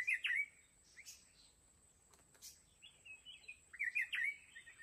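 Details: Red-whiskered bulbul, a wild mountain bird, at a fighting trap: short warbled chirping phrases near the start and again after four seconds, with quieter notes between and a steady thin high tone throughout.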